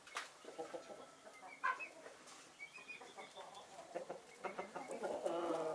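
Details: Backyard chickens of several breeds, including Naked Neck, Marans and Easter Egger, basking in the winter sun; soft, low murmured clucks and short nasal notes come at an irregular rapid pace, with a few brighter squawks and a quiet background.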